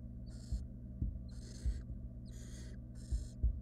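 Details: Barn owl nestlings, wild, in a nest box during a rodent delivery by the female: four raspy hiss-screeches, with soft bumps and scuffles of movement and a low hum.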